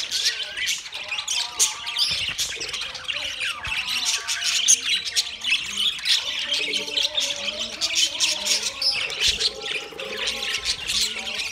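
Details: Several budgerigars eating soft food together on 3 October 2023 keep up a dense, continuous warbling chatter of rapid squawks, chirps and wavering whistled notes.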